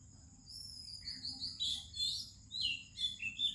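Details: Melodious morning song of an Oriental magpie-robin in India, among other singing birds: long sliding whistle followed by clusters of quick sweet chirps and warbles, with a faint constant high drone.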